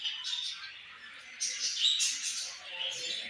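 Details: Budgies give a steady babble of thin high chirps and warbles, rising to a brighter, louder cluster of squeaks from about 1.4 to 2 seconds.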